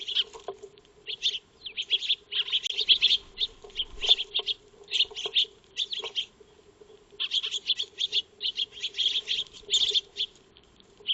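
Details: Backyard Eurasian tree sparrows (Maya birds) at feeding, recorded on a solar wildlife trail camera; continuous chattering of bright, high chirps in dense groups separated by short gaps, a low electrical hum in the background.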